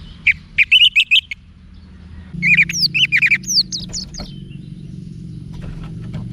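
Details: Orange-headed thrush singing, a recording meant to train cage birds: two quick series of clipped, repeated whistled notes, the second falling into sweeping slurs, then quiet with low hum.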